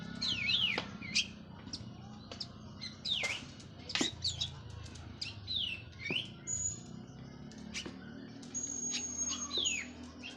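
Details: Cililin local orange-headed thrush that has just completed its moult gives sweeping falling whistles, sharp clicks and a few thin high sustained notes, with short pauses between phrases. Low background rumble.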